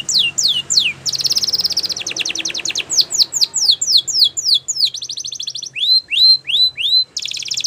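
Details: Canary performing Spanish Timbrado training song: descending sweeps, a sustained buzzy rattle, a series of slurred notes, then repeated arching whistles and a closing trill.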